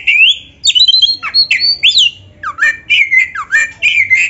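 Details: Black-breasted oriental magpie-robin song used to train caged birds: loud varied whistles, rising slurs and sharp downward notes in quick bursts, with short gaps between phrase groups.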